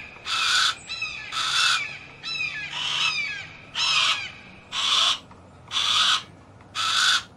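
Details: Harris's hawk repeating coarse, buzzy screeches at a steady one-per-second pace, with faint quick chirps from small birds between the first few calls.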